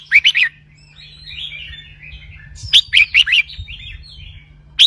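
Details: Red-whiskered bulbul in a cage giving a doubled linked song to rouse other birds; a quick triple whistle, a stretch of soft chattering warble, then a run of four bright notes and a final call over a faint hum.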